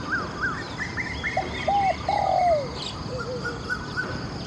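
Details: Spotted dove in Thailand, decoy-luring session, giving soft rounded coos that end in a long falling note; thin whistled calls of other birds sound before and after.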